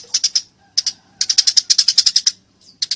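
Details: Eurasian tree sparrow, fighting: a few paired chirps, then a rapid run of about twelve harsh high notes, ending with a brief final pair, clean and close.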